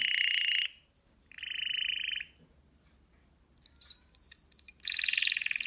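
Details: A Belgian song canary (Serinus canaria domestica) sings rapid, rolling trills in bursts, broken by sharp, bright whistled notes.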